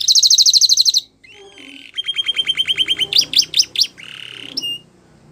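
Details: Canary song used for training young canaries: a bright high rapid trill, then a sliding whistle, a long even rattling roll, quick chopped warbled notes and a final clear whistled note, all loud and close.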